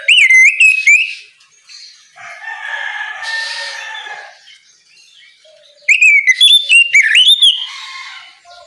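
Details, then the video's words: Oriental magpie-robin singing loudly in the morning to call other magpie-robins to sing: brief bursts of bright whistles and clicks at the start and near the end, with a rooster crowing in between. "Kicau Kacer ngeplong memanggil Kacer bahan agar cepat gacor di pagi hari"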